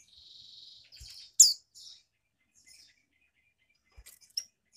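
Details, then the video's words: Captive female Mountain White-eye from Malang, East Java, a call meant to excite males: a steady thin buzzy note, then a sharp high downslurred chip and soft twitters, with quiet taps. "Pancingan Monty Bety. Monty Jantan Pasti Nyaut"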